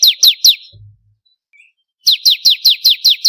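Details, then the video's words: Bar-winged prinia, called ciblek kristal, recorded as a training song for songbirds: a string of loud, high, downslurred notes, about four a second, with a short pause between two bursts. "Masteran suara burung ciblek kristal 4 variasi"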